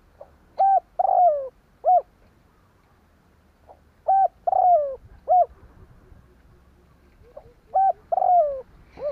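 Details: Spotted dove decoy calling to lure wild doves, repeating a phrase of short coos and one descending drawn-out coo three times, about every three to four seconds, over low background noise.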